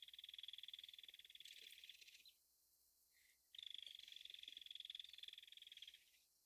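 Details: North American Belted Kingfisher rattling: two long bursts of rapid, harsh, clicking notes separated by a brief pause, each burst steady in pitch and fast-paced, with little else audible.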